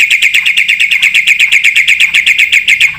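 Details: Black-winged starling in lively full-filler song, meant to spur other birds into singing: an unbroken rapid series of bright, identical chipping notes, loud and regular throughout.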